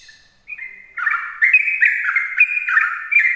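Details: Sooty-headed bulbul in the morning, its 'ropel' song used to lure other bulbuls: after a short thin whistle, a rapid run of bubbly, slurred notes jumping up and down in quick succession.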